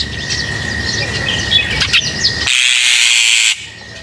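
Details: Lovebirds being fed give quick, high, scratchy chirps over a steady high whine, cut off near the end by a second-long rush of hissing noise.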